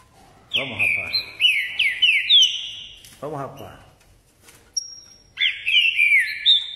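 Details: Green-winged saltator (trinca-ferro) from Caxias, Rio de Janeiro, Brazil, singing in the style called "ordem e pressão". Loud, rich whistled phrases slide downward in quick runs: two bursts, a pause, then a final burst. A man's voice urges the bird on between phrases.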